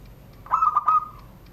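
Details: One phrase from a kept zebra dove of Banten, Indonesia, in the classic 'surung gdor' crystal style: a quick run of soft clipped coos that flows into a smooth, sustained, fading note.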